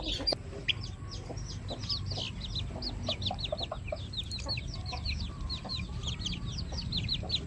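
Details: Pet chickens, including new members of the flock, giving a dense chorus of high, thin, downslurred peeps repeated rapidly by several birds at once, over a steady low rumble of background noise.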